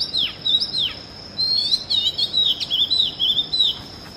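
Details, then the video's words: Oriental magpie-robin (Copsychus saularis) in early-morning song: two sharp downslurred whistles, a brief pause, then a fast run of wavering, bubbling whistled notes lasting about two seconds, with a constant high thin tone behind. "Music of the Oriental Magpie Robin Copsychus saularis - sighting and call"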